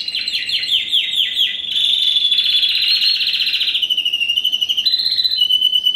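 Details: A 2015 first-generation Spanish Timbrado × wild canary sings a run of descending repeated notes, then a sustained buzzing trill, closing on a steady pure whistled tone.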